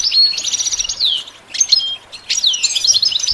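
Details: Three bursts of goldfinch song, each a bright twittering phrase ending in a downward-sliding whistle, separated by short pauses; training material for teaching the bird to sing.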